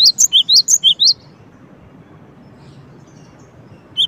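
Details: Cinereous tit calling: a quick run of six high, sharp chirped notes, each a bright upward-flicking squeak, then a second of quiet hiss before one more note at the end.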